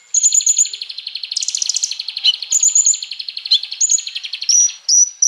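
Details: Konin, meaning a scarlet-backed flowerpecker, in full song as a training lure: a long, continuous, buzzy high-pitched rattle runs beneath repeated thin trilled phrases and short piercing whistles.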